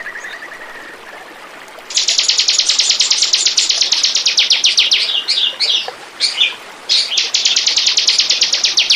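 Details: Bar-winged prinia song used as a lure recording to attract birds: after nearly two seconds of a faint steady tone, a long, fast series of high, clipped repeated notes begins, with a few brief breaks and varied phrases.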